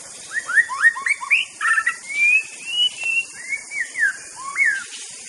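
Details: Master song of an Aceh white-rumped shama: series of rich rising and falling whistles, some slurred in pairs, a few longer clear notes, against a constant high background hiss.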